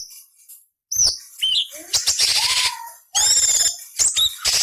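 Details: Cucak cungkok tutor song with harsh rasping variation fills for magpie-robin, leafbird and kacer training: a loud drawn-out scratchy buzz, a falling whistle, then bright whistled chips and more rasping.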